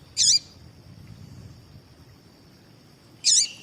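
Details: A female double-collared seedeater calls to stir a male into song. There are two short, very high, twittering call bursts about three seconds apart, with a steady faint high tone in between.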